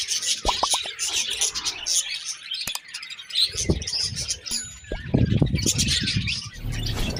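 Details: Budgies chirping in a busy, chattering stream of high twittering notes, with bursts of rougher low thumps and rustling underneath through the second half.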